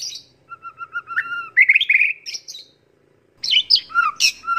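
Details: White-rumped shama, a kept songbird used as a training tutor recording, singing a varied phrase: a series of short clear whistled notes, a rich warbled burst, a pause, then sharp high whistles and chirps.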